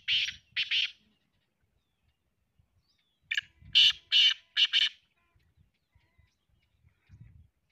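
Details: Two rasping notes open the recording, then after a pause of about two seconds a black francolin gives a fast run of four harsh, buzzy notes, with faint low rustling in the background.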